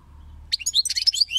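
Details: European goldfinch giving a brief, lively phrase of high twittering notes and thin rising whistles, about one second long, over a low steady hum.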